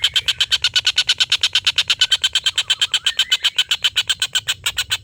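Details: Long laughing call of a collared kingfisher kept as a song tutor for contest birds. Loud, harsh, evenly pulsed notes run without a break for the whole stretch, with a faint lower wavering tone underneath.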